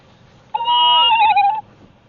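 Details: Tawny owl (Strix aluco), brooding female sitting on eggs, gives a single drawn-out, nasal, slightly wavering wail lasting about a second: a food-begging call, growing hungrier as her mate goes missing during over a week of below-freezing weather.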